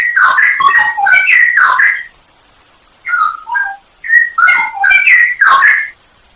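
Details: Masteran recording of a straw-headed bulbul for training songbirds, full isian nembak style: a dense burst of liquid whistled phrases, a short gap, then scattered clear fluty notes building into another rich warbling run.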